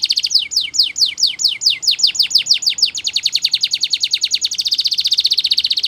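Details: Belgian canary song for canary training: steady falling whistled sweeps that quicken, then merge into a rich, fast continuous trill.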